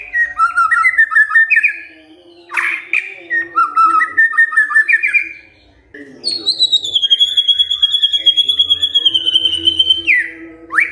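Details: White-rumped shama in loud, varied song, described as singing well: repeated rising whistled phrases, sharp clicks, then a long sustained high whistle ending in an upward sweep; faint low background hum.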